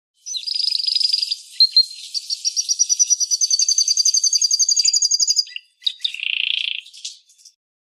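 A canary sings a bright, high song: a clear whistled note, then a fast rolling trill of rapid repeated notes, ending with a short buzzy phrase.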